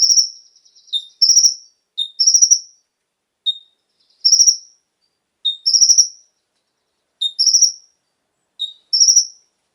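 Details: Konin lure song: evenly spaced phrases of a short lower whistled note and a brief high rapid trill, repeated steadily over quiet background.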